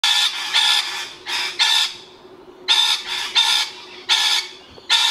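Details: A rainbow lorikeet calling loudly for territory gives about nine harsh, rasping screeches, often in quick pairs, with brief pauses between bursts over a faint low hum.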